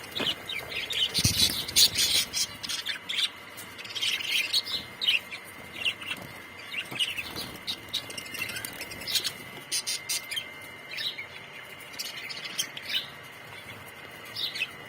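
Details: Colony of budgerigars, brightly coloured Australian parrots, chattering: dense high chirps, warbles and squeaks overlapping almost continuously, with louder bursts near the start.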